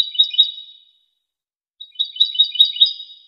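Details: European goldfinch in a high-quality 2023 training recording: the end of one twittering phrase fading out, a second of silence, then a fresh phrase of bright, buzzy, tinkling notes that runs to the end.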